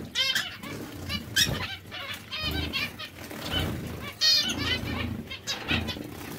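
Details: Zebra finch breeding pairs chattering with rapid nasal toots and buzzy harmonic notes, several birds overlapping, over a steady low rumble and fluttering wing sounds.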